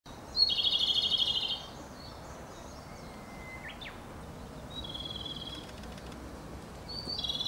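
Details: Japanese robin, one of Japan's three famed songbirds, singing in the wild: a loud, rapid, rattling trill held on one high pitch for about a second, then a faint thin whistle and softer distant trills over steady background hiss.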